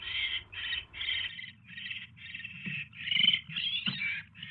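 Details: Owl nest on 29 January 2016 in the evening during mouse deliveries; a fast run of harsh rasping screeches, some longer and louder, with faint thumps and rustles.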